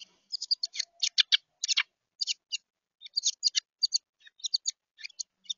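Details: An excited, wing-flapping bird at a feeder, apparently a juvenile Carolina wren, gives quick bursts of harsh, raspy chips, several notes a second in uneven clusters, with no other sounds.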